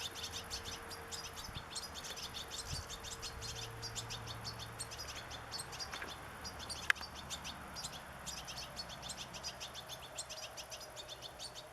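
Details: European goldfinch in nature, a long stream of rapid, high twittering chirps throughout, with low steady hums and a single sharp click partway through.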